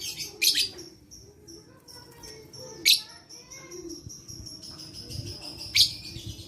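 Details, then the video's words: Lovebird chirping, recorded 11/4/21 as a therapy sound for luring lazy lovebirds to sing: three loud, harsh broadband bursts about every 2.5 seconds, with a steady high buzzing trill and softer chatter between them. "Terapi Lovebird Malas Bunyi Cocok Untuk Memancing Bunyi Semua Love Bird"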